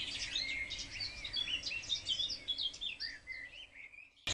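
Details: Spring house sparrows in a wildlife garden, struggling over nest boxes: rapid excited chirps, about two or three per second, loud and clustered, then thinning to scattered tweets before a sharp click at the end.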